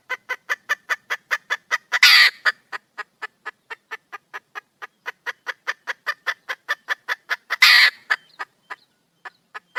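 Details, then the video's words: Wild female red junglefowl calling for a male: a long, fast train of short clucking notes, broken twice by a louder, longer harsh squawk before the series resumes and tapers off. "le bruit d'une poule sauvage,เสียงไก่ป่าร้องหาถู่หาตัวผู้,ສຽງໄກ່ປ່າຮ້ອງຫາຄູ່ຮັກ, poj qaib qus see"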